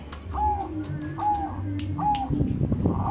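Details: Zebra dove cooing: three short, clear tonal notes of steady mid pitch, each slightly rising then falling, spaced about a second apart, over a constant low rumble and some clatter near the end.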